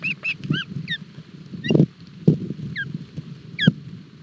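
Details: Osprey chicks at breakfast in Barlinek Forest, 7 July 2022; scattered short high whistled chirps in small bursts, separated by pauses, with low knocks and rustles from the nest.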